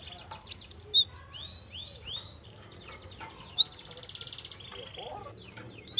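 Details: Java sparrow with a soft-voiced lure song used to prompt young birds to sing: sharp, bright high chirps in clusters of two or three stand over a steady bed of quieter twittering and buzzy trills.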